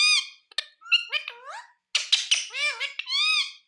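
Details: Continuous speech-like chatter from a talking ringneck parrot: rich, harmonic syllables gliding up and down in pitch, one short break, ending on a long arched note.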